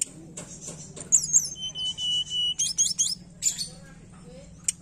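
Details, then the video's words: Tledekan song played as a lure for a bird that will not sing: high twittering notes, a drawn-out whistled tone, then clusters of sharp chirps, with a faint low hum behind. "Pancingan tledekan malas bunyi"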